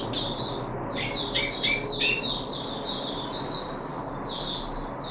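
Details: Puff-backed bulbul in captivity, third day of deworming, 14 July 2021: a jumble of sharp high notes with some buzzy, lower-pitched elements, followed by a steady chain of thin, falling chirps.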